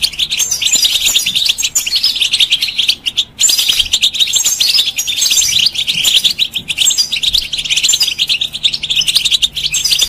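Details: European goldfinch singing to stimulate other birds to sing: long, rapid cascades of bright twittering and tinkling notes mixed with rasping trills, nearly unbroken, with a momentary gap after about three seconds before the chatter resumes.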